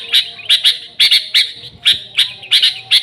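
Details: Sooty-headed bulbul in lively song, pure with no other birds mixed in, meant as a lure for the species: sharp high chirps about every half second, some doubled, over a faint low hum.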